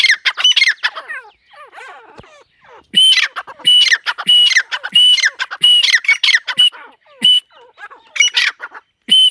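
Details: A partridge (teetar), possibly a female, gives harsh, squawking notes in rapid bursts with a thin high whistle threaded through, repeated roughly every second; no other clear sounds.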